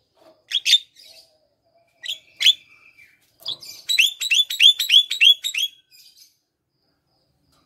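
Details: Javan myna singing in a lively, vocal state, played to prompt other quiet or sluggish mynas to sing, suggested for morning before bathing: sharp whistles and chirps, then a rapid run of repeated bright, ringing notes, with short pauses between phrases.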